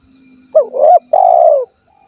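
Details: Spotted dove, 'kuk 1' call style, recorded in Cilacap, Central Java: a single phrase of two short wavering coos followed by one long, steady, slightly falling coo, clean with no background noise.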